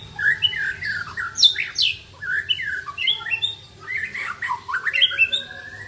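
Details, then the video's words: White-rumped shamas singing against each other in a rich varied song of rapid whistled, slurred and chattering phrases jumping between high and mid pitches, over a faint low hum. "Murai saling bongkar isian mewah"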